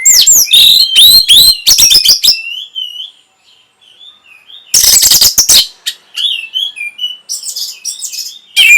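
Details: Orange-headed thrush singing to spark breeding condition and a response. Rapid, loud, varied high notes with harsh bursts give way to soft, thin whistles, then another loud scratchy outburst and mixed warbling.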